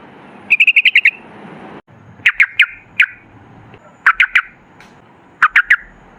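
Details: Sooty-headed bulbul song, played to coax bulbuls into singing: a quick bubbly run of about six notes, followed by spaced clusters of two or three loud, liquid chirps over faint background noise.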